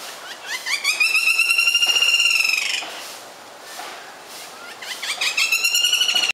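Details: A pair of black-rumped flamebacks on a mango tree in Sri Lanka, one giving a loud, fast, strident rattling whinny of harsh repeated notes for about two seconds, then a second burst after a short pause.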